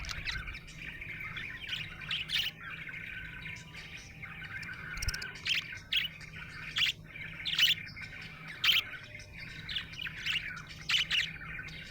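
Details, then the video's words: Happy budgerigar chirping, a steady stream of buzzy warbled chatter punctuated by sharp bright chirps roughly every second, over a low background hum. "Happy budgie chirping sound"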